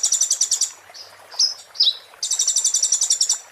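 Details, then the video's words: Oriental white-eye in muntah beling style, used as a tutor recording: a rapid rattling trill, then a few sharp downslurred whistled notes, then the trill again. "master konin muntah beling"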